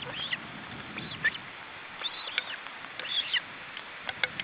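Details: Osprey at the nest in July 2012: a male feeding his chicks. Thin, arched whistled chirps rise and fall in short bursts every second or so over a steady background hiss, with a few sharp clicks near the end.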